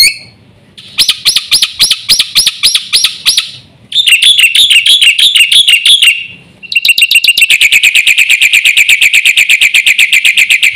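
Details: Black-winged myna, a champion bird in full song. Loud arched notes repeat about twice per second, then hooked chatter, then a long rapid buzzing rattle of high, harsh notes.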